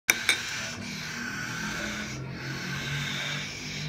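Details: Cockatiel (Nymphicus hollandicus), begging call: chicks begging for food during hand-feeding.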